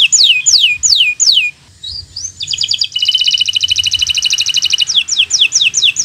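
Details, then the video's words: Bottle-green local canary singing a master song for learners: loud descending whistled sweeps, two rising slurs, a fast buzzy roll, then a dense trill and further falling chirps. "Suara Burung Kenari Gacor Cocok untuk Pancingan Burung Belajar Bunyi"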